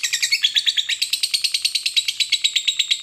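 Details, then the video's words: Fighter lovebird giving a long chattering song (ngekek panjang) used to provoke rival lovebirds into singing: rapid, high, even chatter of about three notes a second sustained throughout, without pause. "pancingan Lovebird fighter ngekek panjang, jitu memancing emosi lovebirds, lawan jadi cepat bunyi"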